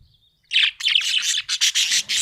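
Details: Happy budgerigar chirping in a continuous, fast stream of bright, scratchy chirps and warbles. The notes come in quick bursts with short gaps between them.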